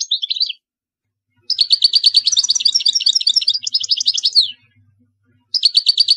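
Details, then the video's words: European goldfinch song used for teaching young birds, 2020: a short twitter, then a three-second run of rapid, liquid, tinkling notes, then another burst starting; quiet background. "تغريد طائر الحسون لتعليم الفراخ الصغار chardonneret"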